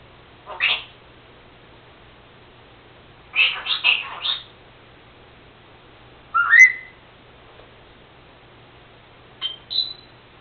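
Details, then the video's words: Captive female Senegal parrot kept as a house pet, which mimics sneezing and talks; four separated bursts: a short raspy note, a rapid chattering cluster, a rising whistled slur, then a brief high squeak. "Senegal parrot Lucy talking...and making sneezing sounds.."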